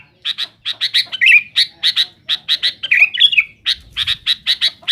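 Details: Sooty-headed bulbul singing noisily toward rivals, rapid evenly spaced sharp chirps broken by occasional bright slurred whistles, continuing throughout.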